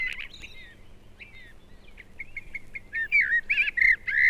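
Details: A northern common blackbird singing in British woodland in February: a run of clear, fluting warbled notes that grow louder and more emphatic toward the end, over a faint background hiss.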